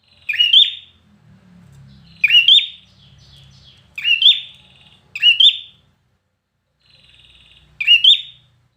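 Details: Red-whiskered bulbul trained for competition singing: five loud, bright warbled phrases, each under a second, come at uneven gaps of roughly one to two seconds, with faint low rumbling between them.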